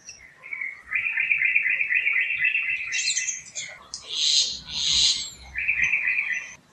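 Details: A Common Myna calls from tree branches in a forest canopy with light wind. It gives a run of quick chattering notes, then harsher, wheezy squawks, and another short chatter closes it.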